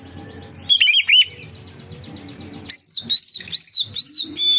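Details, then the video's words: Oriental magpie-robin singing, played to draw other magpie-robins into song: a few slurred whistles, a pause, then a quick run of bright, arching whistled notes repeated several times over a low background hum. "suara burung kacer untuk penarik / pancingan kacer gacor santai"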